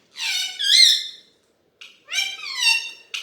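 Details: Desi Alexandrine parakeet kept as a talking pet utters two loud, hoarse, speech-like phrases of two syllables each, separated by a second of silence, the second ending in a clipped squeak.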